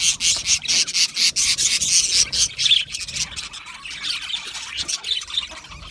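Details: Chirping budgie parakeets give a rapid, buzzy run of high notes, pulsing roughly twice a second and fading slightly toward the end.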